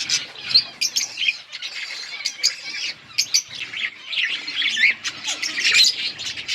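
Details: Budgies chatter with squawky, warbling chirps and sharp clicks, several birds overlapping in a busy, uneven stream of high notes.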